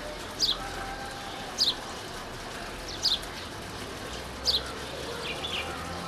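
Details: Female house sparrow at Valparai gives four sharp, bright chirps about every one and a half seconds, with fainter chirps at the end over a steady background hiss.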